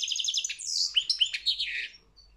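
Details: Short phrase from a European goldfinch in a world championship singing competition: a rapid rattling twitter, then several slurred, dipping whistled notes that fade within two seconds.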